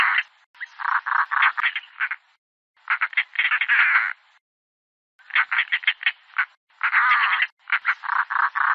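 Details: European roller: grouped, grating rattles of rapid pulses come in several bouts separated by short silences, some bursts more drawn-out and rasping.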